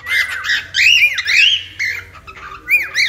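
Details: Warbling cockatiel notes played to tame a pet bird: looping whistled phrases that rise and fall, delivered in two quick bursts with a low hum underneath.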